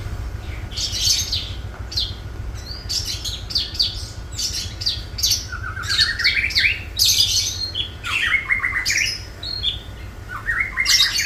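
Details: Caged long-tailed shrike singing a song of mimicked birds, including rio rio, parakeet, tengkek buto and house sparrow: bursts of harsh chattering notes alternating with quick rising runs of clear stepped whistles.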